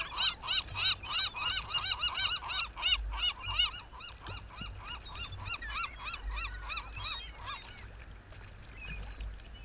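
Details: Seagulls at Rio del Mar call in a long, steady series of arched, honking yelps, about three per second. The sound starts loud and gradually fades, with faint low rumble beneath.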